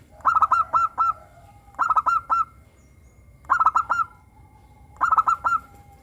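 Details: Local zebra dove with a clear, crystal-toned voice, kept as a lure to prompt captive doves to sing: four phrases, each a quick stutter of short notes ending in a drawn-out coo, spaced about one and a half seconds apart.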